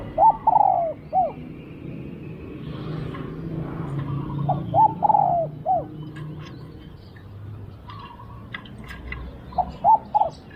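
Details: Spotted dove used in decoy luring, cooing three times: quick clipped notes lead into a longer sliding coo and a short end note. Low rumbling background and faint distant chirps fill the gaps.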